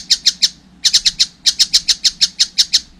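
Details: Harsh staccato notes from a young collared kingfisher, delivered in three short clusters then a steadier run, each note sharp and piercing.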